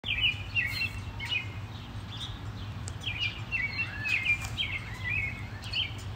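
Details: House sparrows fighting: a dense run of sharp, overlapping chirps and harsh chattering notes, each bending down in pitch, coming in quick bursts throughout, over a steady low hum.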